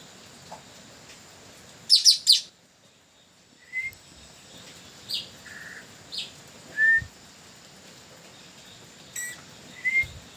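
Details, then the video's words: Long-tailed parakeet lure call on the way to a durian hut: a burst of three loud harsh screeches, then scattered short rising whistles and brief rasping notes with quiet gaps. "SUARA MERDU BURUNG PULING NURI TANAU PIKAT BARU"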